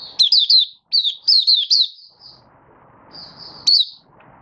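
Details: Mata puteh, a Malaysian white-eye, 27 February 2023: a quick run of high, wavering twittered notes for about two seconds, then background murmur and one final bright chirp.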